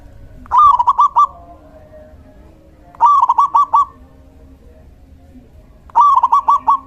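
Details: Persistent singing of a male local zebra dove, used as a master song to stimulate quiet doves and lure wild ones: three phrases of quick, rolling coos, about one every three seconds.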